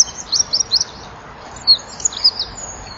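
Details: Eurasian wren at dusk on 23 January 2014, singing near a nest-wall camera: scattered short, very high chirps and quick twitters, loosely spaced over three seconds.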